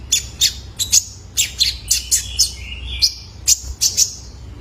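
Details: Young male kolibri ninja used to stimulate caged birds: paired high sharp chirps repeated in quick succession, with one long lower whistle drawn out in the middle.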